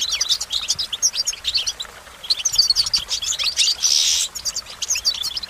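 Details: Lively goldfinch twittering of quick high chirps and trills in two bursts around a short pause, with a brief hissing noise late on.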